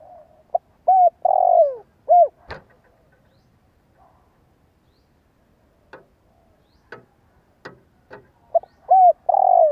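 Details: Spotted dove decoy bird with a fine voice, calling to prompt other doves to coo: low, soft cooing phrases with a rising-falling shape open and close the recording, separated by sharp clicks and knocks in a quiet gap.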